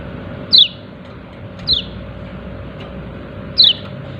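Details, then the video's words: Yellow-breasted white-eye giving its "ciak ciak" call: three separate bright, high, downward-sliding chirps about a second or more apart, with a constant low background hum. "Pleci dada kuning memanggil ciak ciak"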